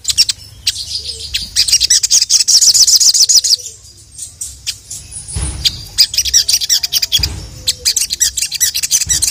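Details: Gacor singing of a sogon (crimson sunbird) calling a male, full of isian: a rapid shimmering trill of high chirps, a pause with a sharp whistle, then renewed quick twittering phrases.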